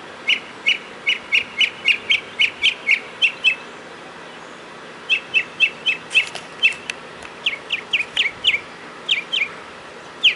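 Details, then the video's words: Mockingbird singing near a doorway on 31 March 2010: a long string of short, evenly spaced chirps, then after a pause a second uneven series of slurred notes, nearly four notes per second. "Listen To The Mockingbird"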